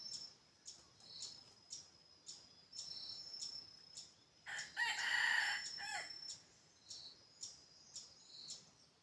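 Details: A red junglefowl decoy bird for hunting crows once, moderately loud: a harsh, buzzy phrase of about one and a half seconds. It sits among insects chirping at a regular pulse and a steady high whine.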